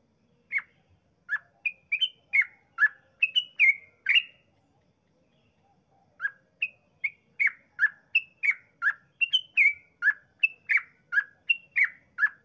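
Yellow-vented bulbul giving long runs of quick, bubbly, mid-pitched whistled notes, about two per second, in two bursts split by a short pause.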